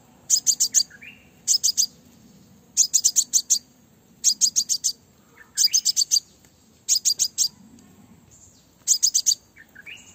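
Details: Call of a female crimson sunbird, used to draw in males. Rapid groups of four to six piercing, buzzy high chirps recur roughly every one and a half seconds, separated by short faint whistled slurs, with a clean, quiet background.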